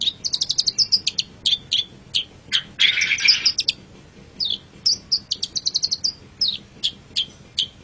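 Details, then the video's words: Long-tailed shrike (pentet cendet) singing on a masteran recording: rapid trills of high ticking notes, a brief harsh noisy burst in the middle, then more quick chips and short whistles. "Masteran Suara Pentet Cendet"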